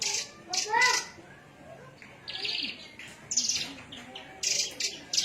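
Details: Javan myna from Cilacap singing: harsh, noisy bursts alternating with short whistled and slurred notes, delivered in separate phrases with pauses between them.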